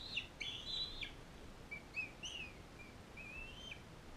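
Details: Bald eagle at a care facility where a non-releasable female fosters an eaglet from Powell River; a few quick high piping notes, then softer, thinner whistled slurs trailing off over faint background hiss.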